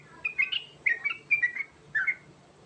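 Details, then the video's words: Sooty-headed bulbul (trucukan), Garuda type, ngerol song with rich fill: a few short phrases of bright whistled notes with small downward slides, separated by brief pauses, over a low steady hum. "Panggilan Burung Trucukan Garuda Ngerol Isian Mewah Cepat Bikin Nyaut"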